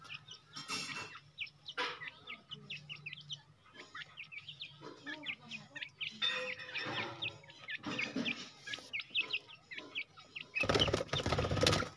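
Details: Grey francolin, a jungle bird that has been freed and fed, giving quick rising chirpy notes in repeated bursts. Loud broadband clattering noises break in between the bursts, and a rough burst of noise comes at the end.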